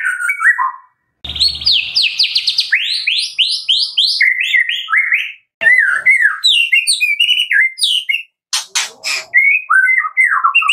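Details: White-rumped shama, Medan type, singing a loud fill-in song of fast slurred notes, descending sweeps and varied whistles, broken by a few noisy rasping bursts.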